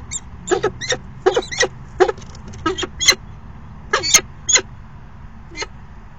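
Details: Short afternoon courtship dance of male and female falcons at their nest box, 29 September 2016; irregular loud chips and clicks, some bunched in rapid doublets, about a dozen bursts over six seconds.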